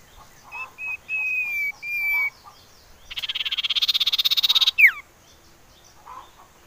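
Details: Common iora, sound used as a lure to make birds sing: clipped then drawn-out whistled notes, followed by a long rapid buzzy rattle and a sharply falling whistled slur.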